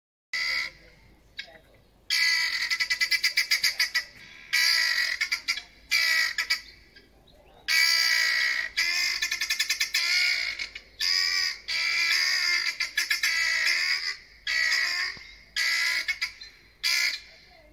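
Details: 2 helmeted guineafowl that landed on a deck give loud, harsh, rattling cackles in rapid bursts, over and over, going wild for about five minutes.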